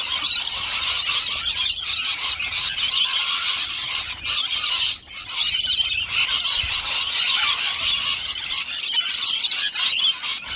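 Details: Rainbow lorikeets crowding a bowl of nectar of dry powder, honey and warm water, a loud feeding frenzy; unbroken high, harsh screeching and squealing from many birds at once, with one brief dip in the din midway.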